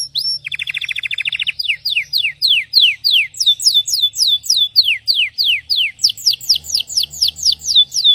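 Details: Belgian canary song opening with a quick buzzy trill, followed by a series of clear downslurred whistled notes repeated about four times a second, with brief shifts in pitch between phrases.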